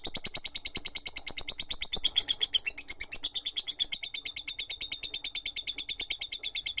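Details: Non-stop ngekek chatter of a lovebird, a dense unbroken stream of shrill, high chips racing at roughly six to seven per second throughout.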